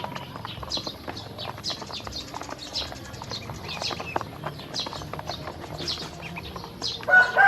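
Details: Hungry domestic ducklings at feed and drinking water, uttering soft, descending peeps among fast pecking clicks; a louder, harmonic call bursts in at the very end.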